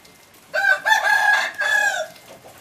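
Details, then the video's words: Captive hybrid junglefowl rooster with yellow plumage giving one crow of about one and a half seconds: a harsh opening note, a short break, then a sustained harmonic middle and a falling final part, over a quiet background. "Qaib qus txuam daj zoo nraug(เชลยไก่ป่าลูกผสมสวยๆ)"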